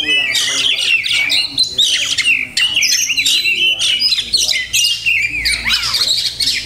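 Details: Oriental magpie-robin (kacer) singing a song packed with many learned imitations: dense, rapid, varied phrases of high whistles, sweeping notes and chattering trills, nearly unbroken over several seconds with brief pauses.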